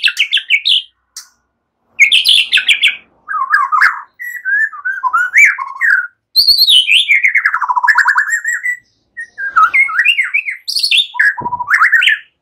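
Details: White-rumped shama in a relaxed song, with phrases imitating cililin and ciblek, used as a lure for training songbirds. It delivers varied whistled and chattering phrases, rising and falling, in bursts separated by short pauses.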